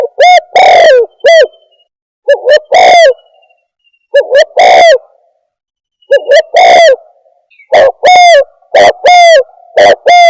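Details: Spotted dove lure call for trapping, heard as a steady series of loud cooing phrases of two or three notes, each with a drawn-out central coo, repeated about every two seconds and quickening near the end.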